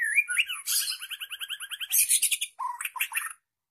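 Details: A two-year-old White-rumped shama sings a rich, varied phrase: a fast rattling trill of about a dozen notes, harsh high bursts, then lower fluty whistles.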